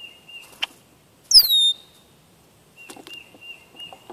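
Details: Red-winged blackbird on a birdcam, 25 June 2014: one loud, sharp, descending whistled note with high overtones, set between thin steady tones and faint ticking sounds.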